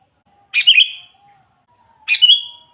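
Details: Two short bubbly phrases from a sooty-headed bulbul, used as lure song to attract wild bulbuls; each starts with a sharp note then slides into a drawn-out bright whistle, about one and a half seconds apart.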